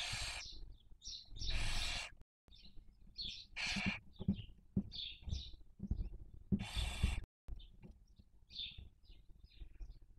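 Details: Nest webcam audio of barn owls raising young in Cabañeros National Park, Spain, 2023 breeding season: three rasping, noisy screeches spread over ten seconds, interspersed with many brief high twittering squeaks and faint low rumbles.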